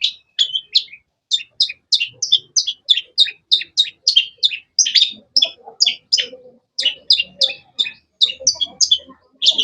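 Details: Long-tailed shrike song: a long, steady run of sharp, high chirps, each short and slightly downslurred, delivered about three per second with brief gaps and faint lower twittering in the background.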